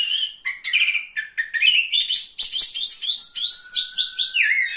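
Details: Oriental magpie-robin singing at a singing contest, ranked third: a fast string of varied whistles and chirps building into rhythmic repeated triplets, then a gliding whistle, loud and sustained.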